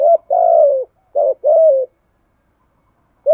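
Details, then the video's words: Captive decoy spotted dove cooing in rapid pairs: short note then sustained slightly descending coo, repeated twice in quick succession, clean with no other sounds. "chim cu gáy bài bản thúc gù bài bản kích bổi là gáy luân khổi phải bàn anh em ạ"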